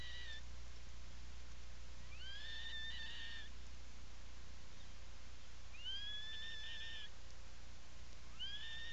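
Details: Atlantic puffin inside its nesting burrow, Seal Island National Wildlife Refuge, Maine, afternoon of 17 July 2018: long whistled calls that sweep up then hold level, repeated about every four seconds, over a droning low hum.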